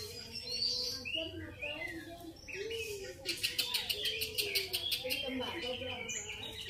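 Grey-cheeked Bulbul giving bright, varied whistled chirps and slurred notes, with a murmuring human voice and a burst of rapid clicking in the second half.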